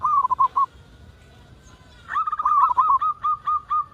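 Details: Local zebra dove calling, played to lure other doves into cooing: a short burst of wavering coos, a quiet gap, then a long rolling series of rapid, evenly pulsed coo notes.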